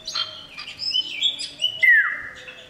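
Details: Male common iora calls to attract a female: several quick high whistles, then a clear, longer whistle that slides steeply downward near the end.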